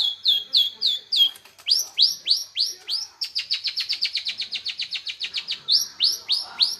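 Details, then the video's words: Energetic long-tailed shrike song opening with curved, whistled notes, then a fast rattling trill of about twenty clipped notes, ending with more slurred whistles. "Burung cendet master gacor"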